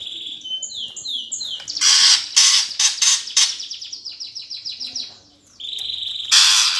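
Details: Greater green leafbird giving a gereja-style fighting song, used to provoke competition birds. A run of high descending whistled notes is broken by loud harsh rasping bursts, then a fast ticking trill, ending in another harsh burst.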